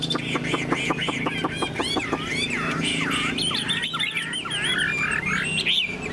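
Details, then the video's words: Tame caged Chinese hwamei singing with its tail fanned, in a long, high song: a run of rapid clipped repeated notes, then varied looping whistled phrases rising and falling, over a steady low background hum. "Họa mi thuần sách lồng hót, đuôi xòe, ngũ trường hót cao cầu"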